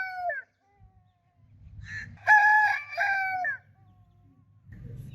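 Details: Tail of one rooster crow, then a second full crow with sharp opening syllables and a long held note sliding down at the end, over light low background noise.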